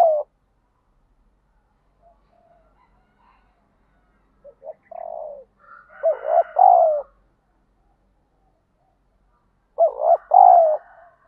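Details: Spotted dove call used in daily decoy training to provoke fighting: faint scattered coos, then repeated low hoarse two-part coo phrases, some overlapping with brief higher tones, spaced several seconds apart.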